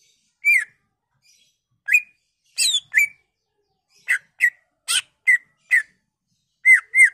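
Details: Greater green leafbird lure song meant to rouse other leafbirds, showing its learned repertoire: a varied sequence of slurred whistles, sharp chirps and brief buzzy notes, spaced irregularly, ending with two matching downslurred whistles.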